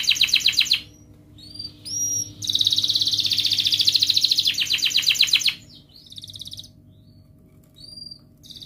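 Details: Canary delivering a ngerek mbarong song with long ngerol rolls, played to encourage lazy canaries. Bursts of fast high trills, including a three-second unbroken roll, alternate with brief pure whistles and quieter gaps.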